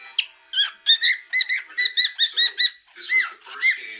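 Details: Pet cockatiel giving a rhythmic run of short whistled double-toned notes, about four per second, after an opening sharp chip, then a couple of longer sliding whistles at the end.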